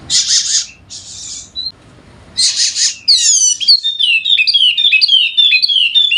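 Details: Endemic Sumbawa Wallacean white-eye with a golden head, a lure recording for reluctant singers: harsh broadband bursts open, then a lively cascade of high sliding chirps and twitters fills the second half.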